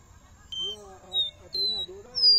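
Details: Captive black-bellied seedeater in Recife, recorded 30 July 2021 while eating estrelinha seeds, gives four clear, pure whistled notes about half a second apart, each a little higher than the last, over faint television football commentary.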